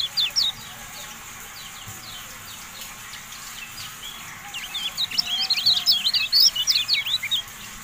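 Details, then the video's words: Javan white-eye song used as tutor audio for caged birds: after faint scattered chirps, a fast high twittering burst of thin rising and falling whistled notes in the second half, over steady background hiss. "MASTERAN TERBARU KECIAL KUNING, FULL AUDIO"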